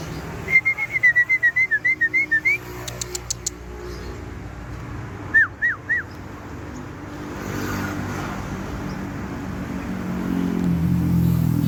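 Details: Aceh-type white-rumped shama singing energetically while set outdoors: a quick run of about a dozen sharp, mid-pitched chipping notes, a few dry clicks, then three downslurred whistles. A steady low traffic-like rumble grows louder toward the end.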